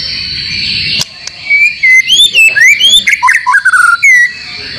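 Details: Training song for caged white-rumped shamas, meant to make them sing often: after a click, a fast, varied string of bright whistles with rising and falling slurs and short trills, about three seconds long.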